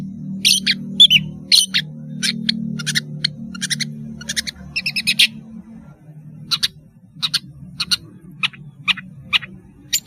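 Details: Long-tailed shrike singing actively: harsh, scratchy bursts of rasping notes in quick clusters, then sparser single buzzy notes spaced about half a second apart, over a faint low hum.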